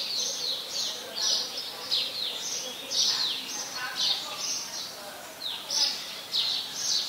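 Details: House sparrows in Ubon Ratchathani, Thailand, 5 February 2020, where they are very common residents: a lively run of sharp, high chirps, several per second, partly overlapping as if from more than one bird, with soft background noise.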